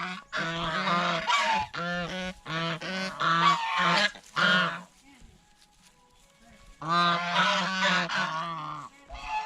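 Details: Geese eating bread and fresh vegetables at a fish pond give loud, nasal honks in rapid bursts, several overlapping, with a quiet gap midway before another burst of harsh honking.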